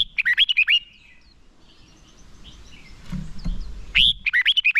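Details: Red-whiskered bulbul decoy song for attracting wild birds and coaching contest birds: a burst of rolling, downslurred whistles, a stretch of soft background chirps and rustling, then another loud whistled phrase.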